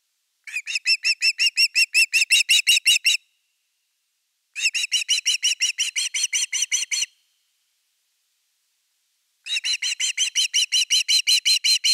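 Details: Osprey at the nest during an evening fish delivery, 30.8.2021: three bouts of rapid, regularly repeated piping whistles, about three per second, separated by short pauses.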